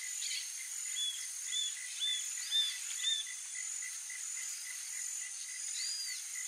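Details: Roadside hawk (Rupornis magnirostris), begging call: juvenile begging food from its parents.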